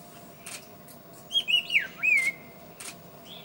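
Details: Scarlet-faced liocichla song: loud, clear whistled phrases that slide and waver up and down, a short burst of linked notes followed by a trailing whistle, with faint chirps from other birds around it.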